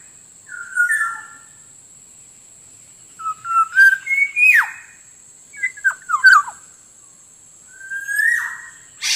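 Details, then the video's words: Black-naped oriole song for luring wild birds and prompting quiet caged birds to sing: short mellow whistled phrases, some rising and some falling, spaced out over about nine seconds. A thin constant high tone sits behind them. "suara pikat burung kepodang ampuh langsung dapat banyak"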